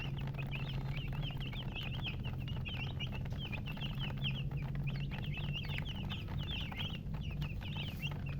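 A crowd of chicks peeps without pause, many high, short, sliding notes overlapping several times a second, over a steady low hum.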